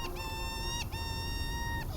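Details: A petrel recorded on Motu Nui, an islet off Rapa Nui, possibly a Kermadec petrel or a Juan Fernández petrel, gives two long, steady, reedy tones. Each is nearly a second long with a slight drop at the end, over a low background rumble.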